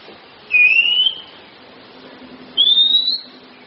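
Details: Kacer, the Oriental magpie-robin, in a training recording for songbirds: a clean rising whistle, then after a pause of about 1.5 seconds a second, higher whistled note that slides upward.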